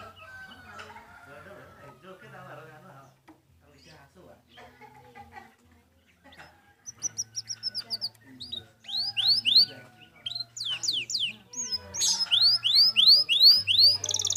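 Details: Kenari (canary) in a clear-voiced training recording: quiet, sparse soft notes at first, then loud rapid upward-sweeping whistles and trills building up over the last half, with a faint low hum beneath.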